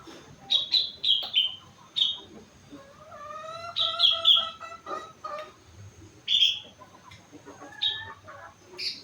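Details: Four-month-old sooty-headed bulbul singing mimicked phrases: clear whistled notes and quick chirps in scattered bursts, with a lower rising harmonic warble in the middle.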